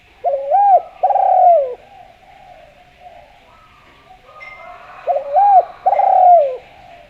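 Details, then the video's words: Lively, sweet-voiced spotted dove from Java serving as a lure call: two matching phrases of a hooked short coo followed by a long burry falling coo, about five seconds apart, with faint whistles from another bird between. "Derkuku Jawa Gacor Suara Merdu, Ampuh Buat Pancingan"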